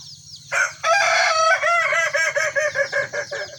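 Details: Two Kukuak Balenggek cocks, red and yellow, tested side by side in a single cage in a crowing contest; one sustained rich note gives way to a long chain of quick, evenly repeated looping syllables.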